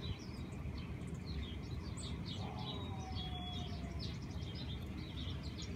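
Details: Mountain chickadees feeding on peanut butter close by in a Colorado Springs back yard on a nice day; many thin, high chirps and short tweets are scattered throughout, with one brief whistle over a steady low rumble.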